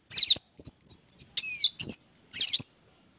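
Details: Orange-headed thrush giving high, thin and scratchy notes: a rough chattering burst, drawn-out piercing whistles, a few descending slurs, and another harsh burst at the end.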